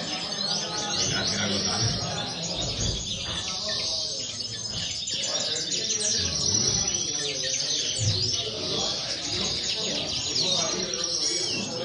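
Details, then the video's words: Long stretch of linnet song, a continuous high chatter of rapid chirps and brief whistled slurs. It stays steady in loudness throughout, with a constant low background murmur. "corona pardillos"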